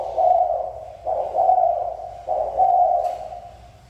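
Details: Mountain-region spotted dove sounds three deep, hoarse coo notes, each about a second long and closely spaced, over a faint background hum.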